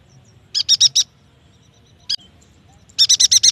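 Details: Yuhina song played to prompt young or silent yuhinas to sing; a run of four high notes, one isolated sharp chip, then a faster string of six high, bright notes.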